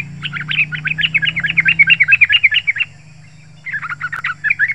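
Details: Yellow-vented bulbul in full chattering song, used as a lure to draw wild bulbuls in forest or garden and to set caged birds singing. A fast, dense run of sharp bubbly notes, a short pause, then another burst.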